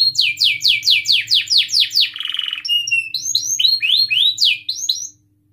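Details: Canary singing as a prompt for other canaries: a run of loud, rhythmic downward-swooping whistles, a brief buzzy rattle, then higher piping notes and curved whistled phrases before it stops.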